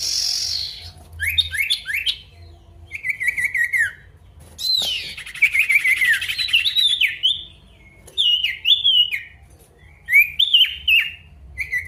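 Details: Male pied bush chat singing to call out an opponent: loud phrases of quick rising and falling whistled notes with buzzy, chattering bursts, delivered in bouts separated by short pauses, no other clear sounds.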